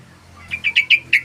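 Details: Energetic sooty-headed bulbul song meant for luring and tutoring other birds: five clear, bubbly, slightly falling notes delivered quickly and evenly within less than a second, against a near-silent background.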